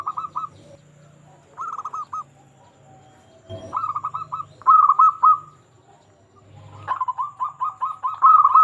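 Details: Local zebra dove singing as a lure for silent or stressed doves. Separate brief bursts of rolling coos give way to a longer, faster run of rattling notes near the end, with a soft knock in the middle.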